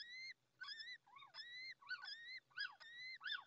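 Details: First little owl chick of the clutch, freshly hatched in its nest in La Moraña, Ávila, Spain, peeping nonstop while the mother is away; rapid harmonic cheeps, some rising, some dipping into wavering notes, packed tightly together.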